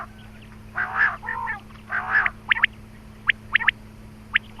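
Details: Quail call used to draw in quail for hunting: two harsh raspy bursts, then a run of crisp paired upward-flicking chips at irregular intervals.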